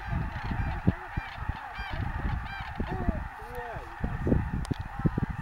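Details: Snow geese at Bosque del Apache National Wildlife Refuge: short nasal honks with arched, bending pitch. Several birds overlap irregularly over strong low wind rumble and a few sharp handling knocks.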